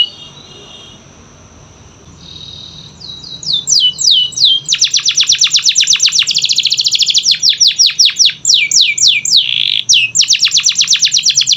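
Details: Canary song to encourage silent canaries to sing: soft steady whistles build into falling sweeps, then a long rapid rolling trill with a brief buzzy note midway.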